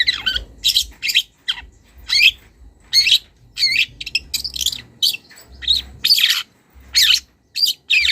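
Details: Wild young long-tailed shrike, calling to a rival: loud harsh rasping notes and twisting high chirps, spaced roughly every half second to second, some sliding downward, over quiet low rumble.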